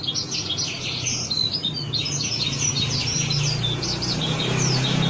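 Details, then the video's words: A wambi sings a fast, continuous run of high, thin chirps and twittering trills over a steady low hum, a lure recording meant to get captive wambi singing quickly. "Suara pancingan burung wambi"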